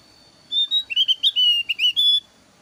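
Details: Javan grey-throated white-eye of the 'alis tipis' form, singing a lively lure phrase: around a dozen sweet whistled notes, some rising and some falling, run together in under two seconds.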